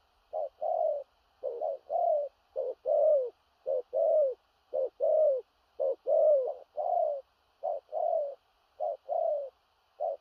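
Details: Large spotted dove repeating low, husky two-note coos in 'thổ rặc' style, a clipped lead note then a drawn-out descending coo. Nearly ten pairs arrive in quick, slightly uneven succession.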